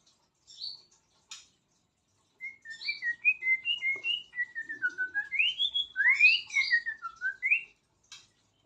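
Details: White-rumped shama singing a varied run of clear whistled phrases. A few sharp high notes come first, then a continuous string of rising and falling whistles, shifting between low and high pitches for about five seconds.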